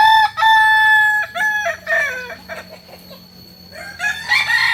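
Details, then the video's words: Kokok Balenggek rooster, a native chicken of Solok, West Sumatra, Indonesia, famed for a tiered crow of three to nineteen stages; loud, clear tonal crow broken into several distinct segments with short gaps, ending in a rougher, brighter note. "Ayam kukuak balenggek ayam asli solok sumbar"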